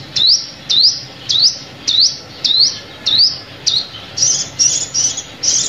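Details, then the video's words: Sunbird calling as a trapping lure, rising high chirps repeated about twice a second, shifting toward the end into thinner, flatter, higher notes. "Tiếng Chim Hút Mật Mồi Kích Bổi"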